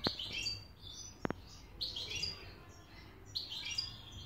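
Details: A European goldfinch, recorded in Hamburg, Germany, sings bright, tinkling twittered phrases in quick bursts, with a couple of sharp clicks between them.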